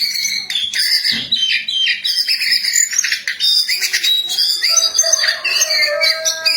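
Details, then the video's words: Lively jongkangan song, a rapid jumble of high chirps, buzzy trills and short whistles, ending in steadier drawn-out whistled tones. "Burung Jongkangan Gacor"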